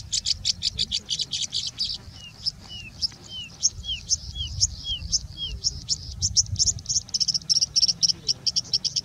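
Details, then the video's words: Singing Bushlark in India, singing and mimicking birds such as Indian Robin, Pied Bushchat, Plain Prinia and Common Woodshrike: rapid bursts of dry, high chips, a run of seven short down-slurred whistles midway, then more fast high notes over a low rumble. "Singing Bushlark singing and mimicking"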